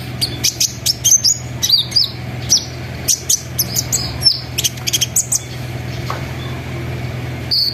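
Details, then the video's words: Sunbird singing as a lure to start other sunbirds, with trilling, rolling, shooting phrases. Busy streams of very high, thin, twittering notes and quick down-slurs run over a steady low droning hum. "PANCINGAN KONIN NGERIWIK NGEROL NEMBAK GACOR BIKIN KONIN LAIN IKUT BUNYI"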